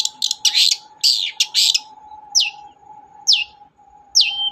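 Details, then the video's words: Long-tailed shrike song as a lure for a bird that will not sing: a burst of rough, scratchy chatter, then three clear downward-swooping whistles spaced about a second apart, over a constant low hum. "BURUNG CENDET GACOR DOR, pancingan ampuh cendet gak mau bunyi"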